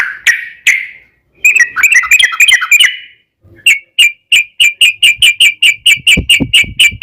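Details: Yellow-vented bulbul giving gacor fighting ropel song to coax other bulbuls into answering: two slurred whistles, a tumbling warbled phrase, then a long evenly spaced series of bright chirps about three per second.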